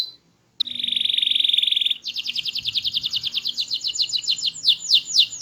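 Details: Loud, melodious canary of small build: a brief note, a pause, then a steady rolling trill that breaks into a higher, faster series of sweeping notes.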